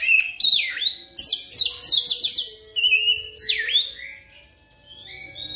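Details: Oriental magpie-robin lure song, used to prompt a trained bird to sing fast rolling phrases. Rich, varied whistled phrases with sharp downslurs and buzzy chattering trills in quick bursts, then quieter sweet notes near the end. A faint steady low hum runs underneath.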